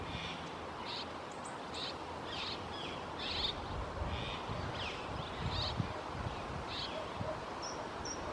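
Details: Juvenile red-rumped swallow (Cecropis daurica) in Cascais, 2022, gives short, scratchy chirps about every half-second to second over a steady low background rumble.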